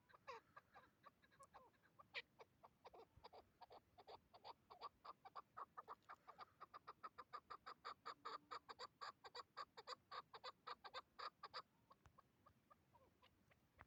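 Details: Hybrid chukar partridge, a tethered decoy bird, calling during a hunt: a long, accelerating series of sharp clucking notes building to a fast, even chatter, then trailing off.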